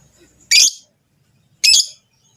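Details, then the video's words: Rosy-faced and Fischer's lovebirds producing a mating call intended to prompt the female to breed. Two short, loud, grating screeches about a second apart, separated by silence. "صوت تزاوج طيور الحب الروز والفيشر لتحفيز الأنثى على الإنتاج"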